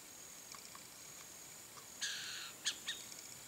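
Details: Whistling heron in pastures in Brazil: a single clear, harmonic-rich whistled note about half a second long, followed by a couple of short sharp chirps, with faint distant chirping and a steady high hiss behind.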